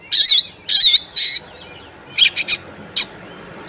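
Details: Oriental magpie-robin in fighting mode: three loud harsh rasping notes about half a second apart, then a pause and a few short scratchy bursts.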